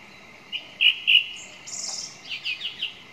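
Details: A song thrush gives a few loud whistled notes, then a high scratchy burst, followed by a run of quick repeated chirps.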